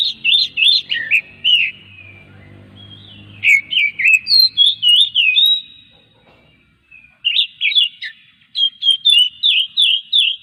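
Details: Oriental magpie-robin, song played to set other magpie-robins singing: repeated bursts of rapid looping whistles, roughly three notes per second, separated by short silences, with a soft low rumble in the first seconds.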